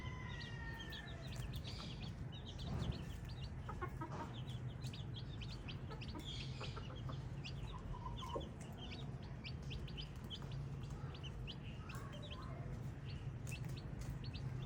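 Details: A group of baby chicks keeps up continuous shrill peeping, dense bursts of short high notes with a few softer lower calls mixed in, against a persistent deep hum.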